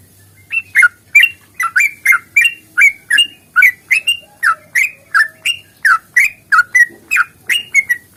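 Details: Long rapid-fire fighting song of a sooty-headed bulbul, played to get bulbuls singing: an even stream of bright, slurred whistled notes at about three per second, with a faint hum at the start.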